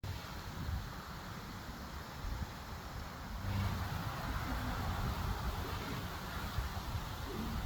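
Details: Continuous outdoor traffic rumble and wind that grows louder halfway through, with no animal calls.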